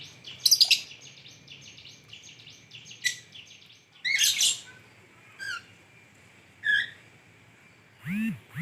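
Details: Lovebird in full chirping voice, melodious: a rapid scratchy twittering run, then a loud harsh burst, followed by spaced single squeaky chirps and a final low nasal note.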